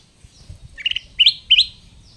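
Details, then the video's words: Sooty-headed bulbul, trapped wild and kept caged until tame, now loud and steady: a stuttering chirp followed by two clear, ringing upslurred notes in quick succession over a quiet background. "KUTILANG EMAS HASIL PIKATAN AKHIRNYA GACOR! Tiap Menit Bunyi"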